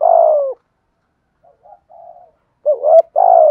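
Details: Low hooting spotted dove call in the 'giọng thổ' style, male and female, meant to stimulate captive doves in training: a long falling coo, soft mid notes, then a wavering double note and another sustained coo.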